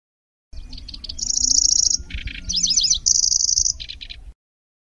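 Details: Grasshopper-like chattering song of the Lanceolated warbler, with rolling trills and sharp shots meant for songbird training: staccato chips, an even high reel, a low buzzy rattle, zigzag trills and a final reel with chips.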